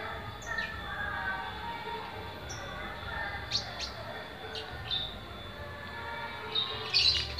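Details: A kept sunbird in Pemalang, Central Java, Indonesia, already calling one day after acquisition, gives thin, high, sharp chirps at irregular intervals, some in quick pairs, over a steady background hum and faint low murmuring.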